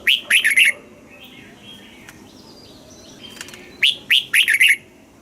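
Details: Red-whiskered bulbul from Thailand, a cage bird, in southern master-song style played to stir caged birds and teach young birds: two quick phrases of bright, rising-and-falling whistles with a quiet stretch of faint chirps between them.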